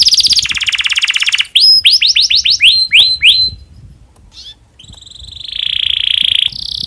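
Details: Canary in breeding condition, its song meant to stimulate other canaries: a rapid buzzy roll, a run of bright down-slurred whistles, a quieter gap, then a steady high trill rising in volume.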